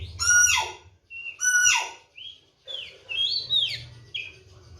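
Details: Oriental magpie-robin (kacer), a kept bird fed seven crickets with regular morning and evening baths, gives loud harsh buzzy bursts alternating with short clear whistles and upslurred notes, separated by brief pauses.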